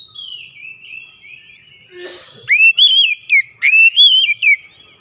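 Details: Oriental magpie-robin lure song for a bird that will not sing: a faint drawn-out whistle, then two loud rising sweeps, each followed by warbling whistled notes.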